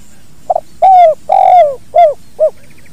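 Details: Spotted dove (tekukur) singing the "kuk dua" style in a natural recording meant for training other birds: a quick soft doubled note, two long drawn-out coos that fall away at the end, then two short round coos. Background otherwise quiet.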